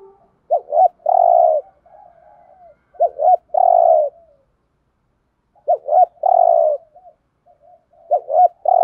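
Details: Spotted dove 'thúc gù' cooing, 'giọng Thổ' voice, kept as a trapping decoy: repeated phrases of two quick soft coos leading into a drawn-out, rolling coo, about every two to three seconds, with faint murmuring coos between.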